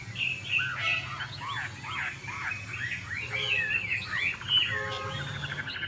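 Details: Chinese hwamei, a female dancing to push the male into fiery form; softer, more distant jumble of whistled and slurred notes over steady background noise, with some short low buzzy bursts.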